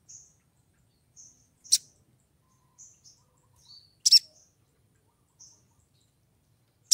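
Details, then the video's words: Female crimson sunbird in breeding condition calling for a male: sparse, thin, very high chirps every second or so, one slightly lower note, and three sharp loud clicks. "PANGGILAN SOGON BETINA BIRAHI MEMIKAT SOGON JANTAN"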